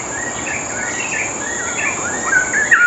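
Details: Straw-headed bulbul masteran song used to tutor other birds: a continuous, flowing warble of slurred notes rising and dipping, moderately loud, building toward the end, with a steady high hiss behind it.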